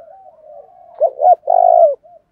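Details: Soft low murmuring leads into one clear spotted dove phrase in the 'thổ đồng thúc đấu' style, used to stir wild doves to fight: two brief hoots, then a long, steady, slightly buzzy coo.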